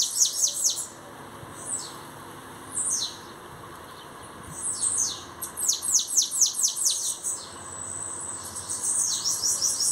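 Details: Bananaquit pouring out quick clusters of thin, high, downward-sliding notes, several phrases in a row, the last a dense rapid run over faint background hiss.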